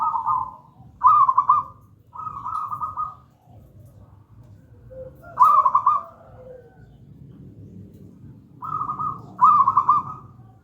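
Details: Zebra dove of local wild stock, gedang rojo song type, used as a lure for other doves: rolling trilled coos in groups, a pause with soft lower notes, then paired coos at the end.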